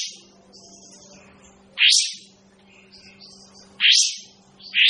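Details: Kapas tembak bird, a caged songbird whose voice is called unpleasant, giving loud harsh rasping bursts sweeping upward, three spaced about two seconds apart, with softer chatter between them and a steady low electrical hum.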